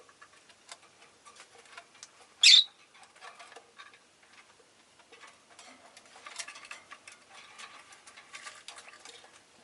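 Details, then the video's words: Pet rosy-faced lovebirds, several present and calling often that day: one brief, sharp chirp early on, then only low ticking and scratchy background rustle. "この日はみんな割とよく鳴いてました【Lovebird Chirping Sounds"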